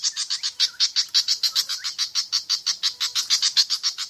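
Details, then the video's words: Pied fantail, Rhipidura javanica, a recording used to lure birds into singing: fast, regular harsh chattering notes, about eight per second, high and broadband, continuing throughout without pause. "Pancingan suara burung kipasan/srikatan jawa javanica)"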